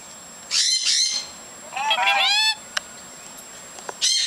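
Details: Several captive lorikeets outdoors while their cages are cleaned, chattering a lot: harsh, buzzy squawks in short bursts, one a rising, stacked screech near the middle, with a few sharp clicks between calls.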